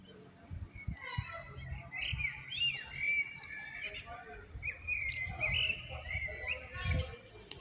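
A Eurasian blackbird sings mellow, fluted phrases with brief twittering flourishes, over a steady low rumble and faint background noise.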